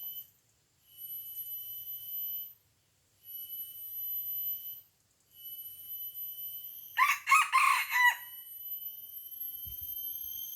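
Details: Red junglefowl from Aceh, a wild bird lured down by a decoy rooster and fighting it, gives one short, harsh, ringing crow of about a second. Steady high electronic-like whining tones pulse on and off around it.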